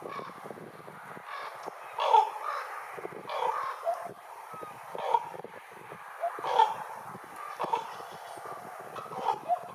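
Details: Ravens calling: repeated harsh, low croaking caws spaced a second or two apart over about ten seconds, some overlapping, with a constant background rush.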